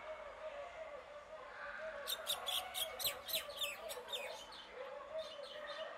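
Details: After a stretch of low background hum, a Common myna breaks into a rapid series of about a dozen harsh, grating notes, then goes quieter with a few more scattered notes.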